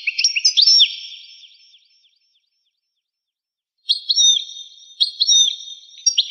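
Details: A European goldfinch sings in this rare 1985 recording: a liquid twittering phrase with swooping notes, a long quiet gap, then further tinkling phrases of chirps and slurred whistles, with no other sounds.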